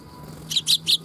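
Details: Sparrows coming to be fed at a Tenmangu shrine on 3 October 2021: three short, bright chirps in quick succession, the last two louder, over faint low background hum.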